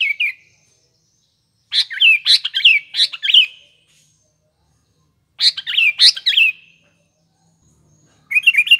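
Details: Sooty-headed bulbul singing actively, a lure recording for morning, afternoon and nighttime use: repeated bubbly whistled phrases of several quick notes, spaced by pauses of about two seconds, in a quiet setting.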